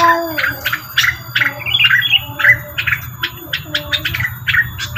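A Grey-cheeked Tit-babbler gives a busy run of sharp, chattering chirps with a few short whistled notes, several per second, over a faint low hum.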